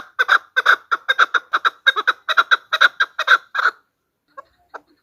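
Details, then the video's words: Female chukar calling, a recording used as a hunting lure: a quick run of harsh, paired chuck notes repeated steadily for nearly four seconds, then a few faint scattered notes before it falls silent. "chakor ki awaaz | chakor voices | hunter chakor sound | Голос самка кеклика манок на Куропатка."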